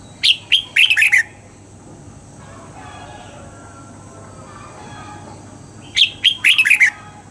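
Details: Red-whiskered bulbul being trained to sing in the morning in the double-note style; two bursts of five or six quick, loud whistled notes falling at each phrase's end, separated by about five seconds of quiet with a low steady hum.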